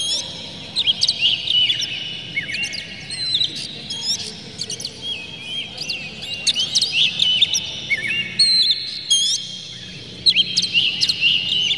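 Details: Emotional oriental magpie-robin, tail spread, in a varied song used to rouse rival magpie-robins. Quick twisting whistles and chirps alternate with clipped high notes, delivered in lively bursts against a faint steady background.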